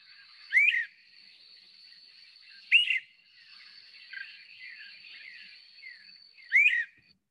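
Great Crested Flycatcher giving three loud, rising whistled wheeep calls a few seconds apart, with softer burry notes between and a thin steady high hum behind.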